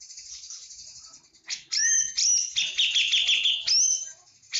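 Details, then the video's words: Javan cucak jenggot bird singing in full 'tembakan' style: after a faint start, loud harsh buzzy bursts with clear high whistled slurs, rising and falling, and a run of rapid chattering notes. "Cucak jengot jawa full tembakan"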